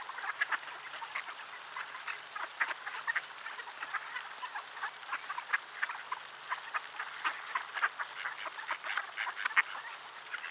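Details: Large gathering of ducks in freezing conditions, Sainte-Adele, Quebec, Canada, 10 December 2019; sustained chattering quacks pour out steadily, louder notes popping out of a continuous flock babble.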